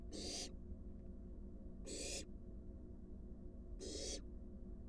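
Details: Fledgling's nest box visited by an adult wild barn owl carrying a large rat; three breathy, hoarse hiss bursts spaced under two seconds apart, each about half a second long.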